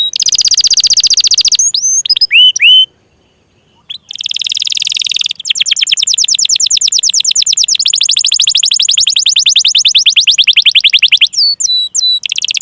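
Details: Canary song used to prompt silent, lazy or young canaries into singing: fast trills of high chirps, sweeping whistled notes and long rapid rattling runs, with a brief pause near the start.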